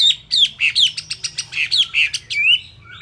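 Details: Chinese hwamei, a kept songbird whose feathers are still not dry, singing at fast beak speed: a rapid run of loud, clear whistled notes and slurred phrases, each dropping or swooping, with short gaps between bursts.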